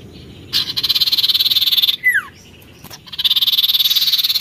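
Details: Oriental magpie-robin in challenging, lively song: a harsh pulsed rasp repeated rapidly, broken by one sharp falling whistle, then the rasp resumes.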